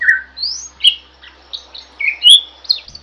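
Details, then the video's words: Chattering jalak song for masteran: a low whistle, then a rising slide, short squeaks and a bright upward-sweeping whistle, loosely spaced with gaps between phrases, a soft low hum beneath. "Suara Burung JALAK GACOR, Bisa Untuk Masteran"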